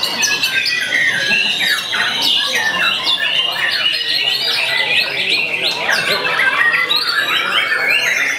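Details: Young captive white-rumped shama in full song, a continuous stream of bright whistles, sharp chips and trills packed closely together at a steady, energetic pace.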